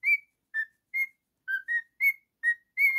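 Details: Singing, whistling male pet cockatiel gives eight short clear whistled notes, roughly one every 0.4 seconds, each pitched slightly higher or lower than the one before, in a quiet room.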